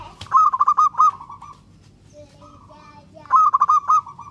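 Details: {'caption': 'Local zebra dove in full song, meant to make other doves respond: two loud bursts of staccato, throaty coo pulses, each ending in a longer rolling trill, with a faint distant dove in between.'}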